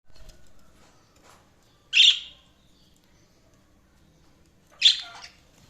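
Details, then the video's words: Budgerigar giving two short, harsh, high chirps about three seconds apart, with only faint background sound between them. "Budgies Chirping sound"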